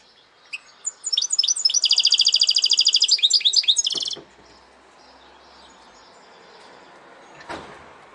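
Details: Goldfinch hybrid (mule) singing in the parçalı, or phrased, song style: a few sharp notes, then a loud, rapid, high trilled run of about three seconds that stops abruptly. Quiet follows, with one faint click near the end.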